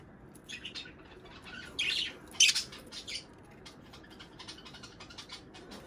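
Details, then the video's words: Budgie calls played to bring on pairing and egg laying: a few harsh, high squawks and chirps clustered in the middle, softer scratchy ticks before and after. "صوت بادجي طيور الحب للتزوج"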